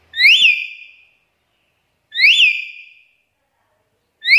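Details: Black-capped lory calling to lure other lories: loud shrill whistled notes that sweep up then slide down and trail off, repeated about every two seconds, with no other sounds.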